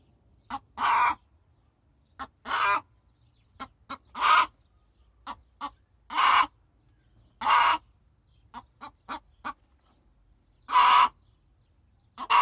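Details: Domestic hen from a chicken-raising setting repeating loud, raspy cackling squawks roughly every one to two seconds, interspersed with quick soft clucks; no other sounds stand out.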